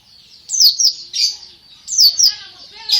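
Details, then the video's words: Greater green leafbird song, two quick bursts of high, sliding chirped notes with a brief pause between, clear and loud. "BURUNG MASTER CUCAK IJO GACOR"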